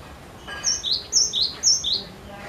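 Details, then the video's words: Cinereous tit in full, insistent song meant to lure other birds to sing, giving three crisp paired notes, each a high flat whistle followed by a slightly lower falling note, over a quiet background. "Glatik Batu Gacor Ngotot Untuk Pancing Bunyi"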